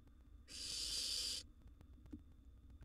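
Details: Single rasping hiss of roughly one second from a wild young barn owl competing for food with its sibling in a nest box, then a soft click and quiet.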